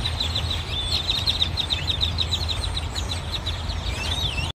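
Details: A flock of grackles on poles, trees and the ground of a parking lot in Cypress, Texas, 18 October 2021, keeps up a dense, continuous chatter of high squeaky chirps and creaks over a steady low rumble.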